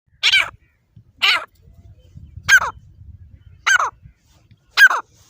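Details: Desi Dakni grey francolin kept as a hand-fighting bird, giving five loud, harsh, rasping calls spaced about a second apart, with faint low rustling between them.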